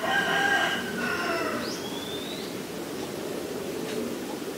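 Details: White-vented myna in Ubon Ratchathani, Thailand, 9 March 2022: a harsh, buzzy call in layered tones lasting about a second, then thin rising whistles and faint chatter.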